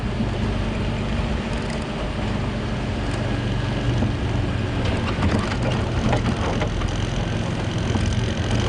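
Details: Loud engine drone of a safari vehicle driving at sunrise, with rattles and wind, and no animal sounds.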